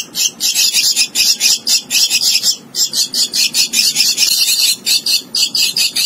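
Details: A young hand-reared Javan myna (Acridotheres javanicus) in Indonesia gives a harsh, scratchy, high-pitched chatter in quick bursts, about three or four a second, with only short breaks.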